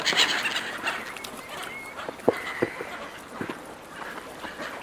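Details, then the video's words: Gulls fighting over food handed out by a person. One drawn-out, even, mewing cry stands out among scattered harsh notes and clattering sounds. "Seagulls fighting over food, Seagulls calling"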